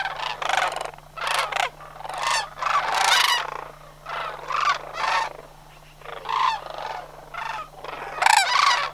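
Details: Autumn migration of Homer's sandhill cranes, September 2009, a flock of birds: many short, rolling, purring calls from several cranes, scattered irregularly and rising and falling in loudness, with a low hum beneath.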